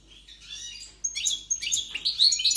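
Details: Brief passage of energetic European goldfinch song, a soft buzzy opening giving way to loud, sharp, liquid twitters and chirps.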